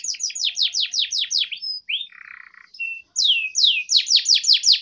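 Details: Canary singing as a training lure for young canaries: fast runs of repeated descending chirps, a short low rattle and a clear whistle mid-way, then the rapid chirp series resumes.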